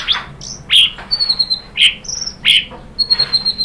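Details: White-rumped shama song used to lure other birds into singing, made of sharp rising whistles and high clear notes in quick irregular sequence, over a low background rumble.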